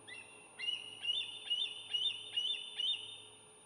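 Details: Nest camera on Santa Cruz Island, Southern California, picks up a wild bald eagle at dawn on 23 June 2018: an opening squeal followed by six high, thin chattering notes, each sliding slightly upward, evenly spaced about half a second apart.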